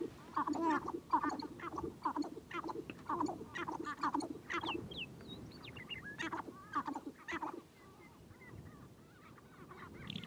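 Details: Sharp-tailed grouse gathered on a prairie hilltop in spring, dancing and fighting to attract females: rapid clucking cackles repeated about twice a second, with a steady high buzz and low rumble behind.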